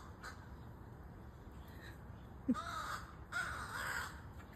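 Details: A crow chick is quiet at first, then gives two drawn-out, hoarse caws in the final two seconds, the second one longer than the first.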